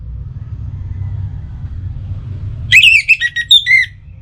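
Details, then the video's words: Song of an orange-headed thrush, meant to stimulate other birds into singing at morning and evening: after a quiet start, a short burst of squeaky, twisting whistles in quick succession, lasting just over a second. "Pancingan Suara ANIS MERAH Untuk Pagi dan Sore Hari Agar Burung Jadi Tambah Gacor"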